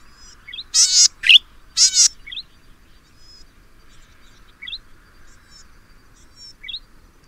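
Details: Golden-headed Cisticola, Taiwan endemic subspecies, in Pingtung County, Taiwan, 2015: two loud, harsh buzzy wheezes, then short, thin rising 'lu-wee' notes repeated about every two seconds over a quiet background.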